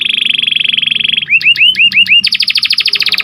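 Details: Training song of an Atlantic canary for stimulating breeding birds: a fast steady trill, then six looping upward-curving whistles, followed by a higher, faster buzzing roll.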